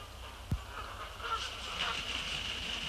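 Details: A flock of Canada geese takes off shortly before sunset on 6 February 2018 at about 17:05 and heads west on its usual pre-sunset flight, giving a chorus of honking flight calls with a brief low thump and steady background rumble.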